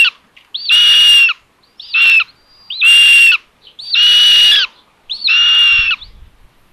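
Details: At a live-camera common buzzard nest in Tiszalök, Hungary, 27 May 2022, the third chick is fed by its mother. Five grating calls with hooked, rising starts repeat roughly once a second, and one is shorter than the rest.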